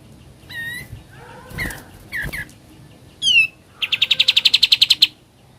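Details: Sooty-headed bulbul singing in the ngebren style. Scattered downslurred whistles and short buzzy notes lead into a fast, even trill of about thirteen sharp notes, with faint background hiss.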